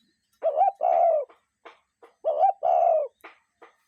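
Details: Two evenly spaced phrases from a real cuckoo in nature, each a short wavering note followed by a longer falling note, with faint soft clicks between them.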